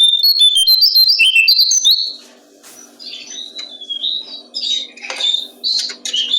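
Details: Brown-streaked flycatcher singing, used to train songbirds: a fast tumbling sequence of high twittering notes, then a short lull before more scattered chirps and warbled phrases return. A soft electrical-like hum runs beneath.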